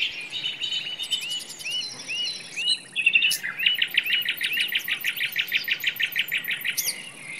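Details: Singing nightingale in woodland: several looping slurred notes, then a long, fast, evenly repeated trill of short notes lasting several seconds, with other faint high twitters behind.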